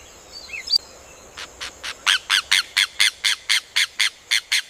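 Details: Rufous hornero (João de Barro) song: faint twittering first, then a long series of about fifteen harsh, evenly spaced notes, around four per second, swelling to full loudness and holding steady.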